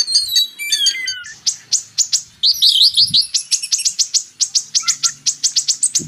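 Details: Purple-throated sunbird, called kolibri ninja, in a burst of high twittering: slurred descending whistles, then a steady stream of sharp ticking notes, with a faint low rumble beneath.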